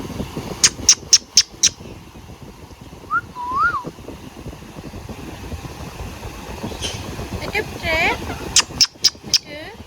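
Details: Pet Indian ringneck parakeet: bursts of four sharp, high chirps, then a short wavering whistle, a run of looping warbled notes, and another quick series of sharp chirps, over a steady low rumbling background.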